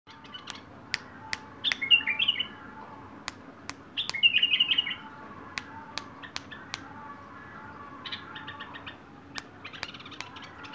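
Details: Wild bulbul singing: short bursts of bright, warbled chirping phrases, two louder quick chattering runs, and scattered high notes, over a steady low background hum with sharp clicks throughout.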